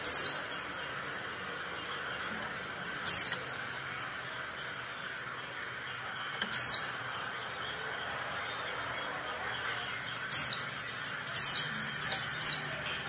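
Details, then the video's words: Female Oriental white-eye calling, a sound used to prompt quiet or reluctant males to answer and sing as in the wild; short high descending chirps, spaced irregularly then clustering into four quick calls near the end, over steady background hiss. "pleci betina untuk pancingan pleci bisu"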